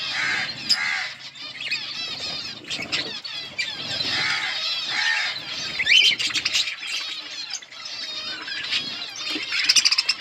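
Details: A crowd of budgerigars chatters on and on in their colony, producing looping, buzzy warbles and squeaky chirps, with wing flutters and a few sharp clicks.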